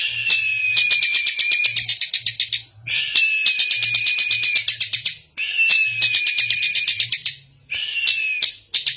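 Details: Bar-winged prinia, called ciblek or prenjak, in energetic song: bursts of rapid sharp high ticks laid over a thin falling whistle, about two seconds each, separated by short gaps, with a low intermittent hum.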